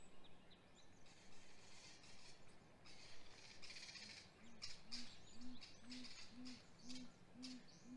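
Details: Great grey owl nest on a live cam, hatch week, 27 April 2020, male delivering prey: after several seconds of background birdsong, low hoots start softly and rise in pitch and loudness into a regular series of about eight.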